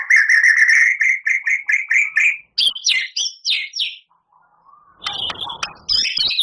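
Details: Energetic white-rumped shama song with long, harsh fill-ins: an even run of about ten repeated whistled notes, then sharp downslurred chirps, a quiet pause, and a final burst of harsh, scratchy notes.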